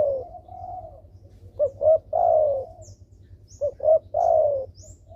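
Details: Actively calling spotted dove, a lure for lazy doves: soft opening coos, then two quick upswept notes and a long, purring, downward-sliding coo, repeated once, with a faint low background drone.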